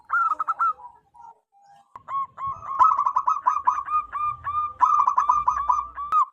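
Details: Zebra dove, a wild local bird, calling loudly to attract others: a few opening coos, a pause, then a long quickening series of short, clipped cooing notes with faint low noise beneath.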